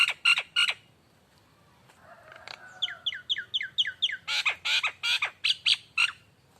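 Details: Lure song of a lively Nias hill myna: three loud harsh bursts, a quiet stretch with a faint drawn note, then a rapid run of falling whistles flowing into repeated loud rasping calls.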